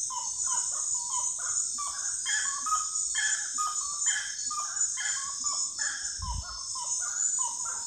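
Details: Common gallinule in a lengthy bout of loud, chattering clucks, repeated in uneven bursts. A brief low thump near the end, with steady shrill insects behind.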